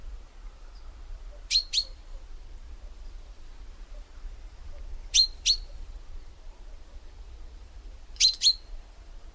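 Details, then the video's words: Common chaffinch (Fringilla coelebs) giving three paired calls, each a quick metallic two-note chink, repeated about every three seconds over faint low background hum. "Chaffinch call"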